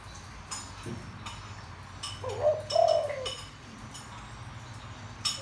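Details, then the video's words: Deep-voiced spotted dove cooing as a decoy for wild doves. One quieter phrase in the middle, a short hoot then a longer coo. Low background rumble and scattered clicks. "tiếng chim cu gáy kích bổi mau lên"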